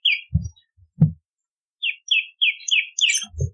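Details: Bar-winged prinia, known locally as prenjak lumut, song used as a lure for trapping birds and as a model for training songbirds: short buzzy chirps near mid-high pitch in a quick series, mixed with low thumps.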